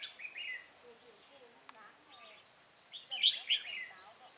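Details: Red-whiskered bulbul at Chùa Hương, Vietnam, during trapping with a decoy bird on 5 March 2018. A quick warble opens, then after a pause comes a louder, rich, rolling phrase. Softer low sounds run beneath.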